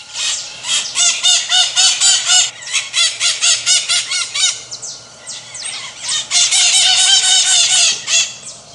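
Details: Pionus parrots, called maritacas, screech in a noisy group: rapid series of piercing, scratchy notes, a short quieter lull near the middle, then a loud burst of overlapping cries.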